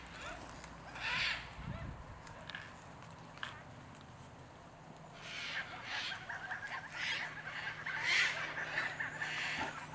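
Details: A flock of about fifty Yellow-tailed Black Cockatoos, wild in a Northern Tasmanian walnut grove in midwinter, cracking walnuts; scattered distant wailing calls come every second or so over a noisy background. Canon 5D Mark IV recording.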